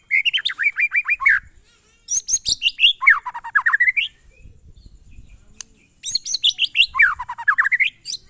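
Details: White-rumped shama (murai batu) in monotonous glondong song: three phrases of rapidly repeated notes, each with sweeping dips and rises, separated by short pauses with faint low background rumble.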